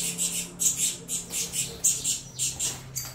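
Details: Nestling saffron finches clamour for food during feeding, giving quick bursts of raspy, high-pitched squawks roughly four per second over a steady low background hum.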